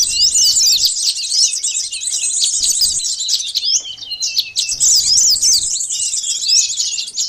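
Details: Sunbird song played as a bird-catching lure, known locally as konin or sogon: very high, tumbling chatter of thin sweeping notes in two bursts separated by a quieter stretch around four seconds.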